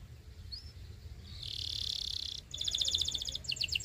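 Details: Belgian canary song meant to train young birds, heard against steady background hiss: one thin rising whistle, then a long smooth buzzy roll, followed by a rapid even trill and a few looping chirps.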